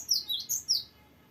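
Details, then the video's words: Gelatik batu, the cinereous tit, giving four quick, high, bright notes from its rolling song, then falling silent. "GELATIK BATU GACOR NGEROLL PANJANG BERVARIASI"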